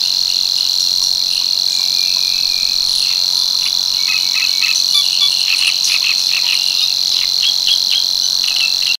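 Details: Long, monotonous insect-like reel of a Savi's warbler at Tancat de l'Illa in l'Albufera, sustained without a break, accompanied by scattered faint ticking calls of other birds in the second half.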